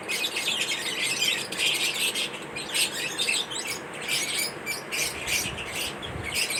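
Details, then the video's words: Lovebirds eating corn at food time give scattered high squeaky chirps in uneven bursts, with a low rustling or knocking sound near the end. "lovebirds chirping sound"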